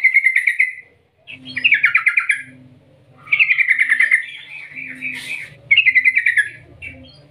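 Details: Yellow-vented bulbul giving a long rolling call meant to draw other bulbuls into singing: repeated bursts of fast buzzy chatter alternating with brief pauses, with a faint low hum in the background.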